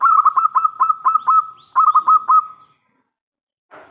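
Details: Zebra Dove, a local bird calling loudly to lure other doves into answering. Two quick phrases of clipped, rolling coos on a steady pitch, roughly four notes a second, the second phrase trailing off; then a short rustle.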